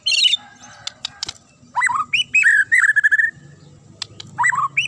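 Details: White-rumped shama (murai batu) giving sharp, clear, shrill fighter-style song: a high burst opens, then loud swooping whistled phrases, a fast run of repeated notes, and a final falling phrase, with pauses between.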